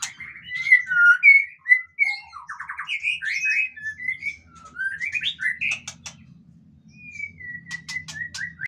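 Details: White-rumped shama in cage surroundings, a lure recording to prompt other birds to sing; rich mixed whistles, quick trills and slurred notes, then a series of falling whistled phrases, with soft low humming in the background.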